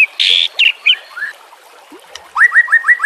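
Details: White-rumped shama singing for a training recording: a buzzy burst, twisting whistles and a soft gap, then a rapid string of six rising upslurred notes, with gentle background noise like running water.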